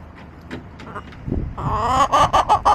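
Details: Backyard chicken flock recorded April 23, 2024: a loud, harsh, harmonic squawk swells up, then breaks into four rhythmic pulsing cackles, after soft scattered clucks and low rumbling background noise.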